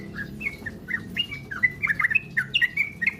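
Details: Sooty-headed bulbul singing rapidly, from a lure recording to make a kept bird sing ropel. Quick slurred whistles, nearly four a second, rise and fall in a jumbled run over low background rumble.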